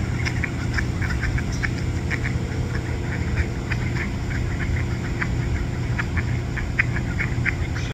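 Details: Mallards at Botany Pond, University of Chicago, in the morning of August 21, 2022, in animated chatter: short, nasal quacks and mutters in quick, uneven bursts throughout, over a steady low engine rumble.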